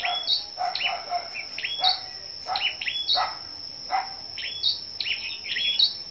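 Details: ['Scarlet-backed flowerpeckers singing in competition at a morning gathering, 10 May: a series of crisp, very high clipped notes and short descending flicks, spaced irregularly about every half second to second, against a continuous thin high hum.']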